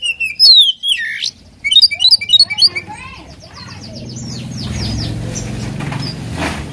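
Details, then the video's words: Provocation song of an oriental magpie-robin aimed at a rival bird: loud falling whistles and quick clipped notes, fading into softer chirps over rising background noise. "KACER GACOR BIKIN EMOSI LAWAN,PANCINGAN KACER EMOSI BIAR NGOBRA"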